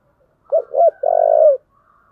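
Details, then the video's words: A single full coo phrase from a spotted dove of the "giọng thổ" voice type, cooing to challenge for fighting or competition: two clipped hooked notes, then a long vibrating coo. A faint whistle-like sound follows. "cu gáy giọng thổ/ cu gáy thúc đấu"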